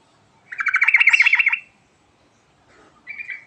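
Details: Yellow-vented bulbul giving a quick rippling warbled phrase of rapid liquid notes, followed after a pause by a short clear whistled note.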